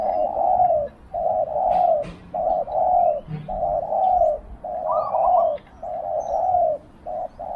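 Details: Decoy spotted dove calling to draw in wild doves: low, mellow cooing phrases follow one another almost without pause, with a brief higher overlapping coo midway and a faint chirp in the background.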